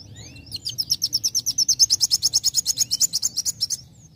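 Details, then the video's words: Young sunbird singing actively, used as a lure to provoke other birds into song: a fast, steady run of about twenty sharp, very high chirps, roughly six per second, swelling then fading over three seconds, with faint low background hum. "Pancing Bunyi Kowul Muda Gacor"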